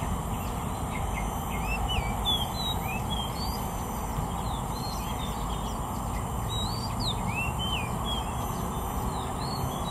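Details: Oriental magpie-robin singing: a steady series of short, clear whistled notes, some rising and some falling, repeated through the clip over a loud constant low rumble and hiss.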